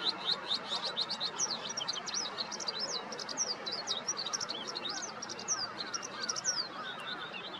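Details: Eurasian skylark (Alauda arvensis) singing in the morning over a vegetable garden east of Yanagishima Sports Park, 15 May 2021: an unbroken stream of high, rapid chirps, trills and slurred notes over soft outdoor hiss.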